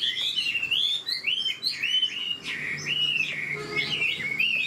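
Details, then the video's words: Old wild-caught Chinese hwamei singing a fast, rich run of whistled phrases that swoop up and down, with quick warbles and brief harsh notes between them. "Họa mi già rừng chất giọng cực hay. tốc độ mỏ nhanh"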